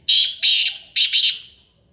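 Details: Black francolin of Sindhi type calling loudly with harsh, rasping notes in pairs, a loud two-note burst followed by a tighter double rasp, fading quickly, nearly free of background noise.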